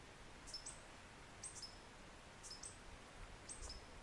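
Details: Mexican violetear (Colibri thalassinus) gives very high, thin, two-part chips about once a second over a steady low hiss; Mexican violetear.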